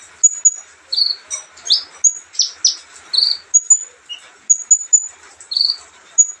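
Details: An olive-backed sunbird sings at ease, alternating thin high whistled pips with short buzzy phrases and a few sharp descending strokes, in irregular groups with brief pauses.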